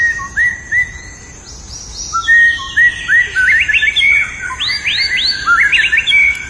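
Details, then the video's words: White-rumped shama singing in the wild: clear, sustained whistles and upward-curving high notes, delivered in phrases that grow busier and overlap toward the end against a soft background hiss. "SUARA UNIT MURAI BATU GACOR DI ALAM LIAR"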